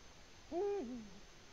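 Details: Eurasian eagle-owl in its nest, Latvia, 14 February 2020: one drawn-out low hoot, held fairly level, then sliding down into a lingering, fading tail. Quiet surroundings.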